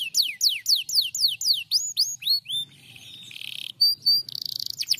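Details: Canary responding to a lure recording: a string of strong, sweeping downslurred whistles about four per second, then a short buzzy roll, a couple of thin high pips and a brief dry trill.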